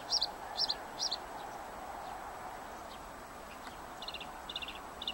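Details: Bluethroat song: three sharp, high double notes, then a pause with faint scattered notes, ending in three quick rattling trills on a slightly lower pitch.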